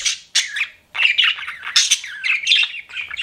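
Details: Pet budgies chattering, with two short squeaky calls followed by a steady run of warbling, buzzy chirps and squawks from more than one bird.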